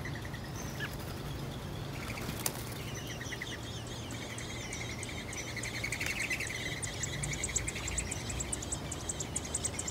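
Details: American robin nestlings in a nest in a tree, being fed worms by the mother, give a rising chorus of thin, high, rapidly repeated chirps, with a steady low rumble and a single sharp knock behind.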